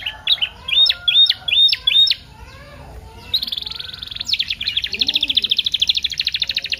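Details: Canary lure song, full of varied phrases, played to stimulate canaries to sing and to tutor them: a row of rising whistled notes repeated about twice a second, then a long fast buzzy trill and a rattling series.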